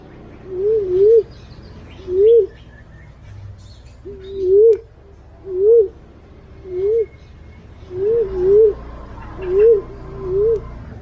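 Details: Lure call of a green pigeon: a series of about nine short, wavering whistles rising to a peak, some doubled, coming about once a second, with faint bird chirps in the background.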